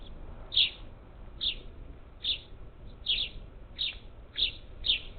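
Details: Up to ten parakeets feeding at a Houston-area Gulf Coast feeder, Texas, 27 July 2021; brisk, grating chirps repeated irregularly, seven in five seconds, some doubled, with soft background hum.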